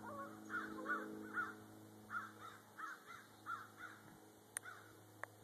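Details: Wild common raven in Rome, Georgia, mimicking words and repeating hello: a series of about eleven short hoarse, harmonic notes in quick succession, then sharp clicks, over a steady droning airplane hum.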